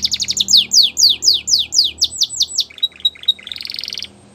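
A Spanish Timbrado canary sings fast rolling trills of sharp downslurred notes, about ten per second, then shifts into a buzzy, metallic run.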